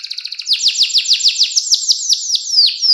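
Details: Clear-voiced 'cengkok mewah' canary song meant as a master for young canaries learning sounds: quick ticking notes, then about a dozen loud, high whistles sliding downward, ending on one sharp falling note.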